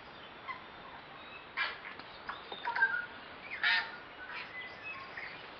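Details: Tui, about eight birds, socialise in a kowhai tree near Karekare falls, West Auckland, in spring: a few loud broadband bursts mixed with short clear whistled notes and clicks, captured with a compact camera.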